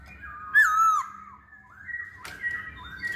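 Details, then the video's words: Masked laughingthrush, locally called poksay hongkong, kept as a caged singer; a loud slurred whistle falling then rising, followed by softer wavering whistled notes and a brief sharp click. "Burung Poksay Hongkong Gacor"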